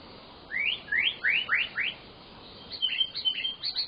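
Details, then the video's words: White-rumped shama in gacor full-fill song, used to set silent shamas singing: five loud upsweeping whistles about a third of a second apart, followed by a quicker series of high chipping notes. "burung murai batu gacor, Full isian"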